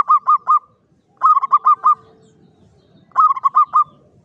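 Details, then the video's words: Local Javanese zebra dove singing klowongan-style in a classic Mataraman cage: three clusters of three to five crisp, hooked coos spaced one to two seconds apart against a quiet background. "SUARA PERKUTUT JAWA KLOWONGAN"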